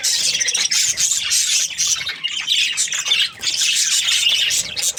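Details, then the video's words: Breeding-season Australian budgies chatter happily, a continuous mass of high, warbling chirps and harsh squawks from many birds, with only brief dips in loudness. "Happy budgies chirping sounds |Australian budgies breeding season"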